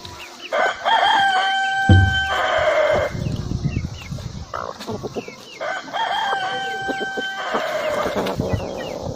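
A rooster crows twice, about five seconds apart. Each crow is a long, loud, strained cock-a-doodle-doo with a drawn-out ending, with faint clucking and rustling between.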